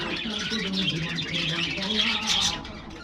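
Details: Aviary budgerigars calling in the morning around treat time: a brief burst of busy high chirping and squeaky warbles, with a low hum beneath.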